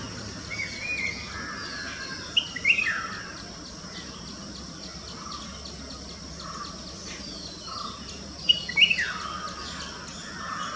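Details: A red-whiskered bulbul gives two bright, quick chirping bursts about six seconds apart, each a cluster of sharp notes, over constant background hiss with faint distant bird chirps.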